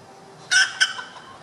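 A red junglefowl hen gives two harsh, nasal clucks, a longer one followed by a short clipped note, over a quiet background.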